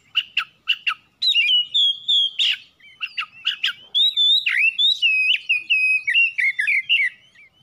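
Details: Oriental magpie-robin singing as a lure meant to set other birds singing: rapid sharp chips and clear whistled notes, long sliding whistles and warbling phrases in a continuous, varied stream.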